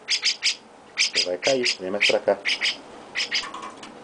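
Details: Baby chestnut-cheeked starling with its owner, uttering quick, hoarse squawks in doubles, interleaved with a person's soft talking and a high thin tone near the end.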